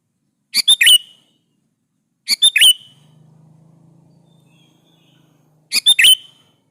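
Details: Sooty-headed bulbul giving repeated lively song phrases to draw replies from other bulbuls: three bubbly three-note phrases roughly every two seconds, each ending in a slurred falling whistle, with a low hum between.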